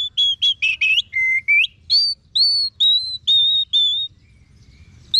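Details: Orange-headed thrush giving a string of clear whistled notes, first quick and clustered, then slower, drawn-out level whistles repeated about twice a second before a short pause and one last rising note.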